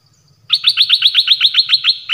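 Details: Rapid, evenly spaced run of about fifteen identical sharp, downslurred chips from a nok dok taeng, nearly eight per second, over a faint low rumble; played so young birds learn it and to stir up birds.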